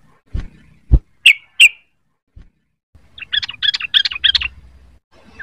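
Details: Young sooty-headed bulbul learning to sing: two sharp high chirps, then a rapid burst of chattering notes lasting about a second and a half, with low knocks and thumps early on.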